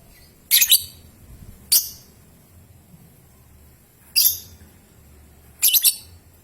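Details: Lovebird lure recording for young birds, meant to provoke long ngekek and ngetik singing: four sharp, piercing high squeaks, some doubled, arriving at irregular gaps of one to two seconds over a faint background hum.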